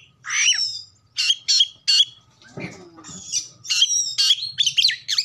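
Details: Oriental magpie-robin song used as a lure for other birds: separate bursts of bright whistled and harsh notes with short pauses, a low rustle in the middle, and a soft hum throughout.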